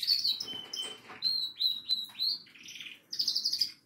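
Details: A goldfinch in song, mixing clear whistled notes, liquid trills and buzzy phrases, ending with a quick run of high repeated notes.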